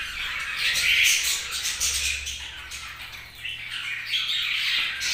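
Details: Budgerigars chirping, a dense chatter of squawky, warbling notes centered high in pitch, rising and falling in loudness throughout, with harsher bursts near the start and end.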